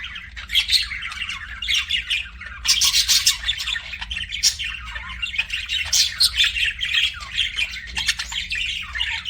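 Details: Pet budgerigars chirp and chatter continuously, raspy squawks mixed with rapid high twitters, in rhythmic loud pulses that come roughly every second over a steady chattering background.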